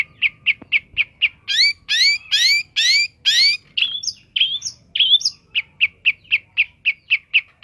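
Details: Long-tailed shrike kept as a songbird, singing a rich mix: quick repeated short chirps, then several loud rising whistled sweeps, squeaky mimic-like notes, and a return to rapid even chirping, about two per second.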